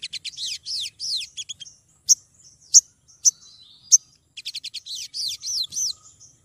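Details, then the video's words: A female olive-backed sunbird calls for a male in a lure recording: quick strings of rising, arched high chirps, a few isolated piercing 'tsip' notes about every half-second, then another rapid chattering series. "Sogon betina gacor memanggil jantan"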